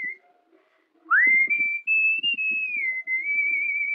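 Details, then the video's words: Cockatiel whistling the Wind of Change melody by Scorpions, learned through repetition. A sharp upward swoop leads into a long, smooth phrase that climbs a step, dips, and levels off, with gentle clicks and rustles below. "Cockatiel singing the whistle of the song Wind of Change by Scorpions"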